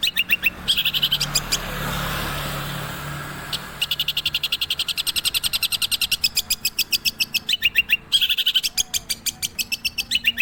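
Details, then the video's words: Long-tailed shrike delivering long runs of rapid sharp clicks, several per second, with short buzzy bursts; a stretch of faint hiss and murmur fills the early seconds. "INI BARU CENDET SUPER MEWAH BOLO"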